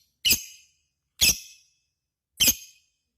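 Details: Three harsh, shrill single shrieks from a lovebird, spaced about a second apart, each clipped and scratchy with a short trailing fall.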